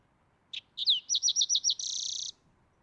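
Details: Green-tailed towhee phrase: a lone sharp note, a slurred down-swept whistle, a series of about six quick descending chips, and a half-second buzzy trill at the end.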